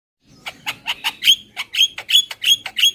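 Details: Javan myna lure call, a super kenyih style, given as a run of harsh, buzzy, squawking notes, about three per second, each note rising to a sharp peak.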